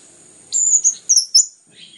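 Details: Brief high phrase from an orange-headed thrush, sung to stimulate other birds to sing: thin, piercing whistled notes in two quick bursts, ending with a sharp click.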